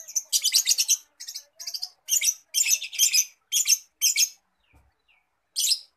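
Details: Loud, scratchy, rasping bursts from a cendet (long-tailed shrike), a bird that copies other birds' songs, come in a steady rhythm about every half second before a brief pause and one last burst.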